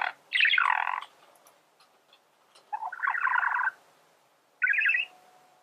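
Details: Singing male budgerigar gives three separate buzzy, grating warble phrases, each about half a second to a second long, with quiet pauses between them.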